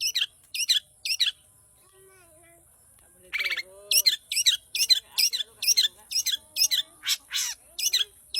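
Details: Long-tailed shrike in active song, giving repeated high, harsh, scratchy chirps. After a short pause with soft lower whistled notes, a buzzy burst introduces a steady fast series of sharp chirps.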